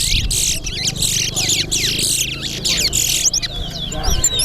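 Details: Caged male chestnut-bellied seed finches (Sporophila angolensis, towa towa) sing in a race at the Sheriff Street bird ground, Guyana: fast, bright warbled and whistled phrases with rapid slurred notes, over crowd murmur and voices.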